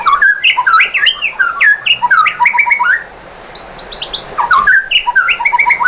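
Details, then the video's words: White-rumped shama song played to bring other shamas into song: loud, rapid tumbling whistles and chattering notes, a brief lull with a few high notes, then renewed varied phrases. "bikin MURAI BATU jadi NYAUT GACOR BONGKAR MATERI ¦ PANCINGAN MURAI ¦ SHAMA BIRD"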